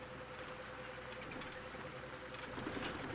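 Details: Steady mechanical rumble and faint ticking, like an idling vehicle, with a low constant hum and no animal voice.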